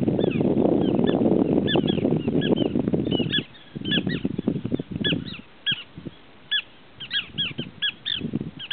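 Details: Many small pratincoles call rapidly, about three or four sharp, high chirps a second, each slurring down. Heavy low rumble masks the first part, then comes in short bursts.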